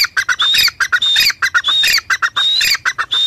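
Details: Female grey francolin (teetar) calling: loud, harsh repeated phrases of short squawky notes with a clear whistled tone, about one and a half phrases per second, continuous throughout.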